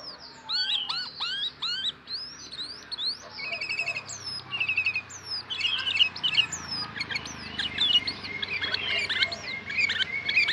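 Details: Tame sooty-headed bulbul from Kebumen, in a lively run of high chirps and sharp rising whistles, some notes quickly stuttered, growing busier toward the end over a low background hum.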